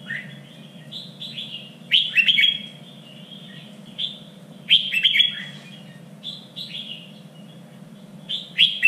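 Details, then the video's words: Singing Red-whiskered bulbul used to train contest birds, standard three-region voice: loud whistled phrases with emphatic sharp notes recurring roughly every three seconds, softer slurred whistles between, constant low hum. "LUYỆN CHÀO MÀO ĐẤU || GIỌNG CHUẨN 3 MIỀN"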